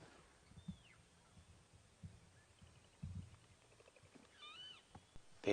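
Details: A Golden-tailed Woodpecker (Campethera abingoni) heard on a morning safari drive gives a nasal, down-slurred squealing call described as very unattractive, preceded by thin falling whistles, over low rumbles and faint voices.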